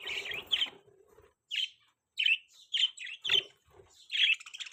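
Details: Several budgerigars call with short, clipped chirps at irregular intervals, mixed with low scratchy rustling at the start.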